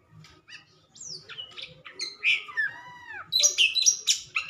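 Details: White-rumped shama, a caged bird, singing just after its cage cover is removed: varied whistled phrases, slurred descending notes and bursts of sharp high chirps.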